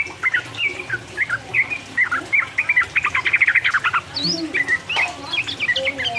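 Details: Sooty-headed bulbul in vigorous 'uplik uplik' song meant to stir up rival birds: quick series of short warbled notes, a fast rattling run midway, then higher sliding whistles and bubbly phrases.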